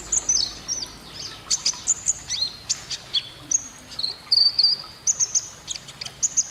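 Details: Canary performing gesekan konin song: bursts of piercing high chirps and short whistled slurs, some notes doubled, delivered in irregular clusters against a soft hissy background.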